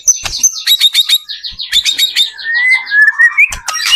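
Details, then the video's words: White-rumped shama in full song, used to make other shamas start singing; quick high chirps giving way to a fast descending string of buzzy notes and a long rising whistle. "PANCINGAN murai batu gacor AMPUH BUAT MENDONGKRAK MURAI BATU MENJADI CEPAT BUNYI"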